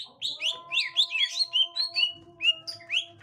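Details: Green leafbird, gotri type, meeting a young wild green leafbird: quick run of slurred chirps and short whistles, repeated about every quarter second, over faint steady background tones.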